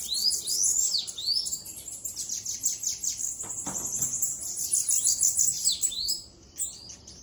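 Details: Bananaquit loose, out of its cage, singing thin, very high buzzy trills broken by rising and falling curved sweeps, phrases repeating rapidly, with a brief low rustling noise midway.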